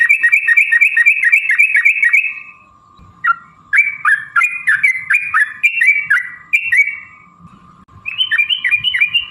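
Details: Sooty-headed bulbul giving a long, rapid fighting-style song played to stir other birds into answering. It starts with a fast string of bright chirps, pauses, then returns in bubbly, descending phrases over a constant hum.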